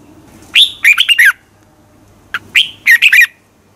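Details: Red-whiskered bulbul, competition singing for training: each phrase opens with an upward-sliding whistle followed by a fast tumble of chirpy, slurred notes; two phrases about two seconds apart.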